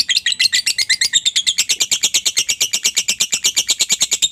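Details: Lovebird giving long ngekek chatter to get other lovebirds to respond: an uninterrupted, rapid train of shrill, scratchy high notes at a brisk, even pace.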